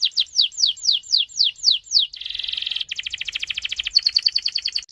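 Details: Canary delivering a long rolling song used as a lure for other canaries. About eight slow, loud downslurred whistles, then a buzzy rattle, then two fast trills of clipped notes, all high-pitched.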